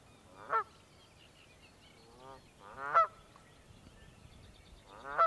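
Canada goose giving loud, nasal honks, three separate calls about two and a half seconds apart, each a short rising-falling blare.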